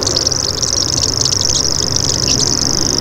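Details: Common grasshopper warbler (Locustella naevia) giving its insect-like, high-pitched buzzing song: an unbroken, very high reeling trill of fast ticking pulses held steady throughout, over a faint low hum.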